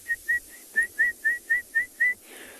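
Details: A spotted thick-knee calls in the background at sunset on an African safari near a waterhole: a quick run of about nine clear, piping whistles, about four per second, rising slightly, then trailing off.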